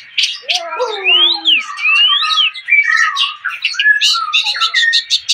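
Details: Javan pied starling, a golden colour variety, singing a varied song of rising and falling whistled slurs mixed with harsh squawky notes and clicks, some low descending whistles early, delivered in a busy continuous stream.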